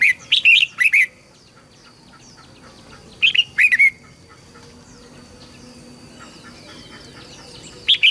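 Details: Red-whiskered bulbul singing as a training model for young birds and to stir newly caught birds to sing: brief clusters of clear, chirpy notes repeated at intervals of about three seconds, with faint distant chirps between.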